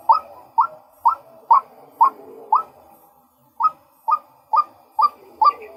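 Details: A male white-breasted waterhen calls in two bursts of clipped, emphatic notes at about two per second, separated by a silent gap of roughly a second.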